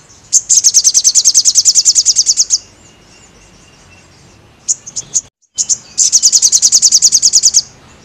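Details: Crested jay singing actively, offered as a training sound for birds: two long machine-gun rattles of about twenty sharp high pulses each, separated by a few isolated chips and a brief gap.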